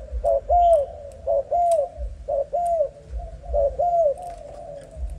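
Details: Spotted dove of Malaysian stock, a young bird, gives deep cooing phrases: a brief coo then a drawn-out, bowed coo, in groups separated by short pauses, with light clicks and soft high ticks behind.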